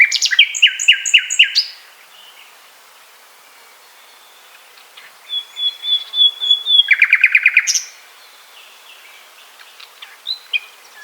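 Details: A common nightingale in Poland sings a fast burst of rattling notes, then a pure drawn-out flute-like whistle building into a loud, rapid rattling trill, with scattered softer chirps after.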